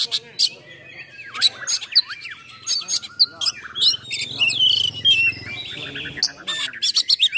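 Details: Oriental magpie-robin's rough-filled 'nembak' song, used for provoking and training other magpie-robins. Scattered sharp, high chips and whistled slurs come in irregular bursts, with a brief low buzzy patch in the middle.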